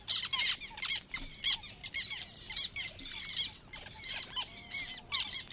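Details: Black Terns in the reed beds of Matsalu, Estonia, in a 1979 field recording, giving harsh, high, squeaky 'kyek' notes, repeated rapidly and unevenly and often overlapping as if from several birds, over a quiet background.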